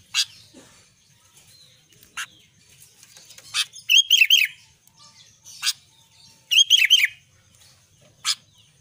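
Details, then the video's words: Albino sooty-headed bulbul singing lustily: two bubbly phrases of three or four quick up-and-down whistled notes, a few seconds apart, separated by sharp clicking taps. "kutilang albino gacor"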